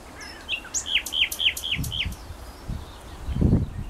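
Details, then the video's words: Bird singing near Feldberg, Mecklenburg-Vorpommern, Germany, on 27 May 2011: a quick series of five clear, downslurred whistled notes in an even rhythm after a few short introductory chirps, over low rumbling background noise. "Wer singt da?"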